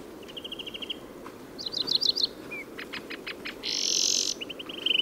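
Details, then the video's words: Song of a European greenfinch recorded in Córdoba, mixing quick trills, clipped chirps and short rising notes with a strong buzzy wheeze near the end, followed by another fast trill. "Verderón común"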